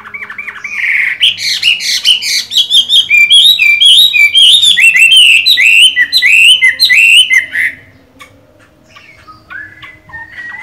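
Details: Moulting Chinese hwamei, kept as a cage bird with a light green eye-ring, delivering a strong run of varied whistles and fast repeated slurred phrases for about seven seconds before fading to a few soft notes.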